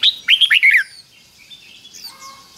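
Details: Red-whiskered bulbul singing a fik-jik-fok 'double' phrase used to train young birds. A loud, quick run of four or five liquid whistles that slur downward, followed by faint thin chirps from other birds.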